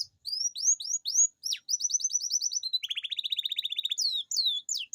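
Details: Singing domestic canary, long rolling song played to encourage lazy canaries: upward-slurred whistles, a quick series of short rising notes, then a fast buzzy roll and varied high chirps.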